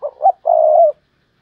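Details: Spotted dove used as a decoy, calling Thúc Lợi Cốt: two quick soft coos lead into a long, steady, mellow coo that fades out cleanly.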